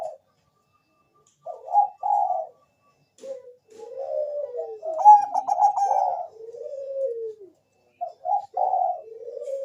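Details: Cooing of a zebra dove of the perkutut bangkok type, used as a lure to draw answering song: short notes rise into a dense trilled coo that sinks downward, then resume after a pause.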